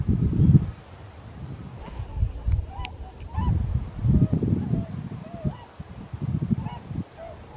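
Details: Migrating swans flying overhead in Hokkaido by day give loud, short, hollow 'koo' honks over a heavy low wind rumble, marking the start of this year's swan migration.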